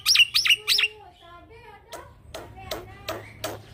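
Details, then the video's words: Young male Black-winged myna singing steadily in a rolling style, kept as a tutor for training other birds: three loud rising-falling shrill notes, a soft pause with faint tonal murmurs, then sharp clipped whistles repeated about twice a second. "Jalak Pito Jantan Muda Gacor Ngeroll"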